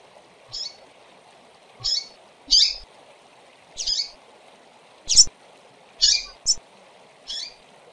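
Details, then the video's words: Female double-collared seedeaters giving about eight short, high, slightly buzzy chirps spaced roughly a second apart, recorded to stimulate birds; a faint background hum. "Femeas de Coleiro Piando e Chamando Demais Top Pra Foguear!!!"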